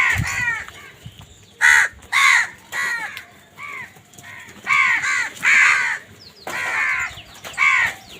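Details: Crows squabbling over food: loud, harsh caws come in quick bursts of one to three, some overlapping, for eight seconds.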